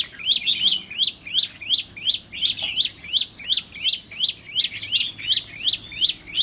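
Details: Trainee decoy red-whiskered bulbul with fiery red eyelids, kept as a cage bird and tested for temperament, gives a fast run of sharp, bright chirps, about three per second, steady and evenly spaced throughout.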